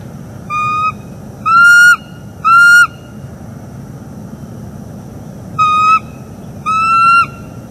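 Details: Morning vocals of a wild bald eagle pair during mating, northeast Florida live cam, October 2021: two groups of whistled notes, one of three and one of two, separated by a pause, over steady low noise.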